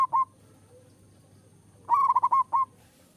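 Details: Champion competition zebra dove singing: a brief opening note, then after a pause a quick run of bubbling, fluted coos ending with a separate final note.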